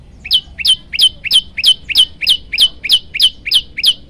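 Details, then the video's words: Olive-backed tailorbird song variation used as a master recording for training birds: loud, sharp paired notes, a short lower chip then a high note sliding down, repeated steadily about three times a second with no pause. "masteran burung prenjak lumut variasi"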